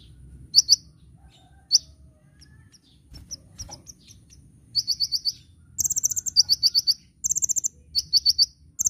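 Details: Sunbird (kolibri ninja) singing nyecret nembak for cage-bird training: a few scattered high chips, then dense alternating bursts of sharp ticks and higher buzzy trills crowding the last four seconds.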